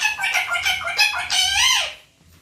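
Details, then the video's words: Parrot copying the word "papa": a quick chain of raspy, voice-like syllables flowing into a longer falling, strained note, all loud and close, ending in silence. "Papa Bolne Wala parrot/Parrot Talking"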